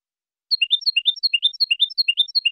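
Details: Goldfinch song played to young goldfinches and hybrids: a brisk motif of bright twittering notes repeated steadily, several times in a row, after a brief silent start.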